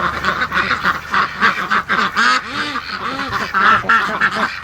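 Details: A flock of domestic ducks, waiting at the gate to be let out on a May 31 morning, quacks nonstop, harsh nasal quacks overlapping at three or four per second in a restless chorus.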